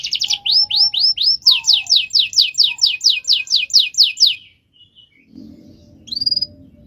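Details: Canary delivering a long rolling song: a steady run of repeated downslurred whistled notes about three per second, then a pause with background noise and a final rising note.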